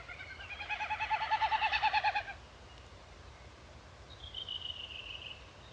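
Wilson's snipe: a hollow, fast-pulsing series of about ten notes a second that swells for two seconds, then fades. A thin high whistle follows later.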